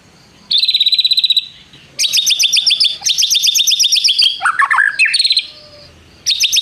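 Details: Loud white-rumped shama song with mimicry: a fast high trill, then dense, chattering runs of sharp repeated notes, a few lower slurred whistles, and a final burst of trilling.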